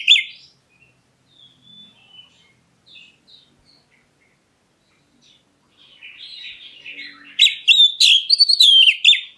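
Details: Black-breasted Oriental magpie-robin used to provoke other birds into answering: scattered soft high notes and a faint warble, building into a loud closing burst of fast, piercing chatter.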